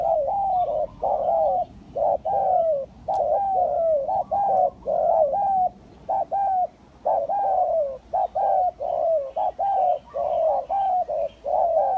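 Spotted doves coo in soft, mellow, slightly rising notes, repeated quickly and overlapping almost without pause, as though several birds are calling together.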